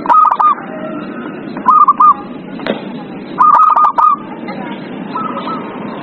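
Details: Zebra dove singing, played to coax a silent dove into song; quick clusters of staccato, slightly ringing coos in three bursts over roughly six seconds, with softer lower notes between and constant background hiss.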